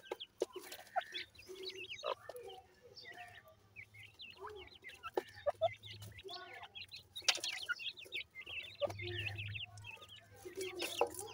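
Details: A new pair of dakhni teetar francolins with chicks gives a busy run of short chirps, clucks and high peeping notes, overlapping and irregular, over a steady low hum.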